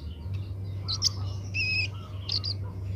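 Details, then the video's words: Young Oriental magpie-robin learning to sing: short high chips, then one long steady whistle with a lower overtone, then a pair of quick high notes, over a constant low droning hum. "burung kemade muda belajar bunyi"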